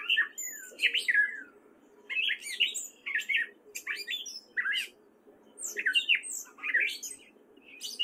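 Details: A male gray catbird sings in spring in Fairfield, Iowa, wary of people: loud, jumbled squeaky and mewing phrases, rapid and constantly varied, broken by short pauses.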